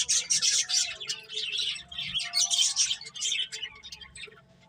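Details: Several finches eating and playing give bright, high chirps in quick overlapping bursts, loudest in the first seconds and fading toward the end.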